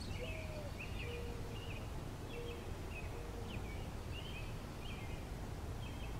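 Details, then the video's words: American robin singing on a pine tree branch: short, warbled caroling phrases, about one every second, over a steady low rumble and a faint, low, drawn-out tone. "American Robin Singing"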